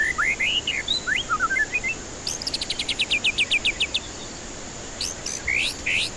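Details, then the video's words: White-rumped shama song as a lure for stressed birds that won't sing: opening rising and falling whistled phrases, then a rapid even series of about a dozen sharp notes, ending with loud upswept whistles. "Pancingan murai batu ampuh cocok untuk pancingan murai batu stres malas bunyi"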